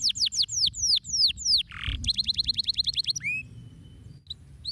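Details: Canary song to get lazy canaries singing: loud descending whistled notes repeated several per second, a short noisy break, a tight buzzy trill, then a few sparse sliding whistles and quieter notes.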